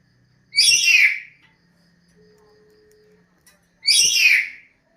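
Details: Two bright, loud song phrases from a bird, each a dense cluster of high slurred notes falling in pitch, separated by a three-second quiet pause with a faint steady tone.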